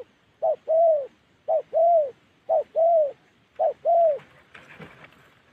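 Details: Spotted dove from Gia Lai, Vietnam, with its Đồng Ngực Chẻ style of calling. Four paired coos, each a brief note then a drawn-out soft hoot, come at steady intervals of roughly one second, followed by a short rustling noise at the end.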